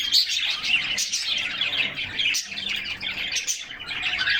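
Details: A group of canaries in a cage singing and playing in summer sunshine, filmed by a camera fixed inside; rapid high chirps and trills pour out continuously, briefly thinning twice before resuming.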